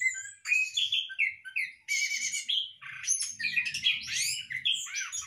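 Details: Captive Orange-headed thrush in a hanging breeding cage sings a varied run of bright whistled and chattering phrases. Notes sweep up and down, some buzzy bursts, in near-continuous bouts. A faint low hum sits underneath.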